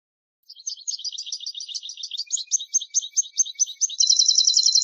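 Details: Goldfinch singing a bright, rapid stream of high chirping notes that closes with a dense, rattling trill, with no other sounds.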